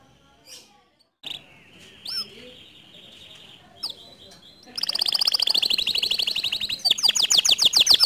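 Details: Canary song meant to stir a silent canary into singing. After a few soft, scattered notes, a loud, dense, rattling trill starts about halfway through and runs to the end. Near the finish it becomes brighter and higher-pitched.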